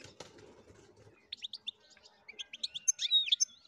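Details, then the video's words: European goldfinch in its natural setting sings a quick, liquid twitter of high tinkling notes and buzzy trills after a second of low rustling noise. "sakakuşu huylandırma kuşunuz çıldıracak"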